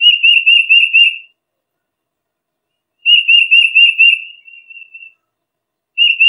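Tufted Titmouse giving clear, high whistled phrases of quick repeated notes, each burst about a second long and repeated every three seconds, with no other sounds.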